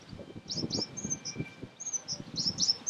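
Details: African blue tit (Cyanistes teneriffae degener) calling on Fuerteventura, Canary Islands, Spain, in February 2017: thin, very high chips and short slurred notes in a quick irregular run, over low rumbling background noise.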